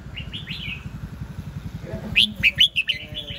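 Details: Soft slurred notes from a red-whiskered bulbul, then a lively burst of five or six loud whistled chirps in quick succession, over low engine-like rumble.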